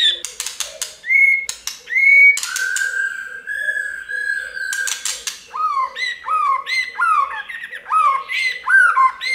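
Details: Many-voiced white-rumped shama song, used to set other birds singing, mixes sharp crackling clicks with whistles, a long level whistle, and then a series of repeated downslurred whistled phrases.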